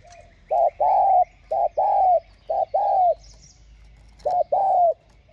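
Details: Spotted dove singing a full song of calling, urging and cooing, used to lure and stimulate wild doves: paired phrases, a short note then a longer drawn-out one, three times in quick succession and again after a pause.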